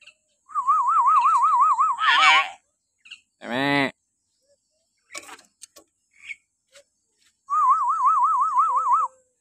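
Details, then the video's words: Hill myna heard in the morning, a recording meant to stimulate caged mynas: a sustained, rapidly wavering whistled trill lasting about two seconds, a harsh nasal squawk, scattered clicks, then the wavering trill again. "suara burung beo melengking"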